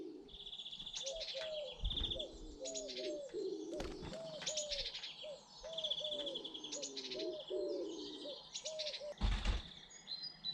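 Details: British garden birds: low cooing phrases repeat steadily through the recording, layered with bright high chirps and short trills above, and a brief loud thump near the end.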